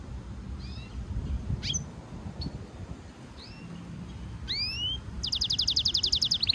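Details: A European goldfinch mule (hybrid) in song training gives scattered high, sliding chirps that build into a fast, bright trill of rapidly repeated notes, with a low background rumble.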